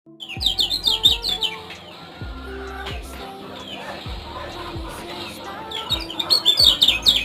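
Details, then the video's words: Lemon-bellied white-eye from Lombok, Indonesia, singing in bursts of quick, high, downslurred chirps at the start and end, with a quieter stretch between, over a low steady hum and soft thumps. "Ciak - Ciak Josss Gandos Kecial Kuning Lombok"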